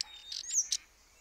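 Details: Common starling (Sturnus vulgaris) giving a brief burst of high notes: a short whistle sliding upward and a few scratchy clicks within about a second, clean and without other sounds.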